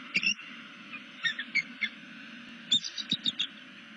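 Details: Bald eagle on a Southwest Florida nest camera, looking around after a tail-stretch and calling, possibly to another eagle; scattered high, squeaky piping notes, then a faster run of five or six sharp chips near the end, with constant low electrical hum.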